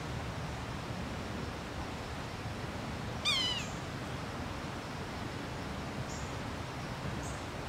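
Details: A Yellow-bellied Sapsucker calling repeatedly at Taylor Arboretum, Nether Providence Township, Pennsylvania, gives one nasal, cat-like, downslurred mew, then two faint, brief high notes over steady background hiss.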